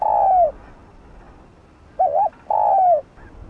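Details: Spotted dove used as a decoy to lure wild doves, calling: a long, mellow descending coo, a short wavering coo after a pause, then another long falling coo. The background is otherwise quiet.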